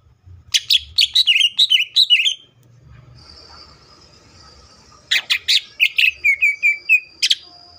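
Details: Cucak ijo (greater green leafbird) in tembakan song: a burst of rapid, twisting chirps, a quiet pause with a faint high tone, then loud sharp notes and a run of level whistled phrases.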